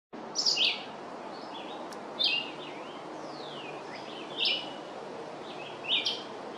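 Red-eyed Vireo singing short, burry phrases, each rising or falling, spaced about two seconds apart over a steady background hiss.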